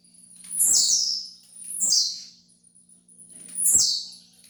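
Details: Tiziu, or blue-black grassquit, song for training: two rapid high buzzy downslurred notes, a short silence, then a third identical note, with a quiet low hum throughout.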